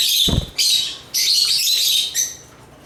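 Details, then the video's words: Chirping lovebirds of the genus Agapornis: short bursts of piercing, high twittering, with one low thump near the start and the chatter fading toward the end. "African Love birds Agapornis chirps singing sounds"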